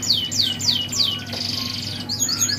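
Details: A mule siskin in full song at a bird kiosk gives a quick run of high, sweeping downslurred whistles, about three a second, then a buzzy trill and bright twitters, over a low steady hum.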